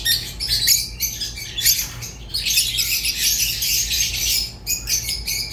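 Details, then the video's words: Rosy-faced and Fischer's lovebirds: fast, scratchy twittering and shrill squeaks merge into a long unbroken chattering passage, with a low background hum. "تغريد ولا أروع | روز و فيشر غندور بصوت ساحر وممتع"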